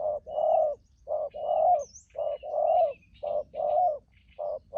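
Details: Wild-caught spotted dove with a good voice, used to call in wild doves, repeating a steady pattern of a short coo followed by a longer rounded one, with faint high bird chirps in the background.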